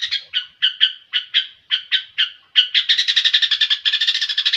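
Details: Long-tailed shrike uttering spaced harsh buzzy notes, roughly two per second, then breaking into a rapid dense grating chatter for the final two seconds.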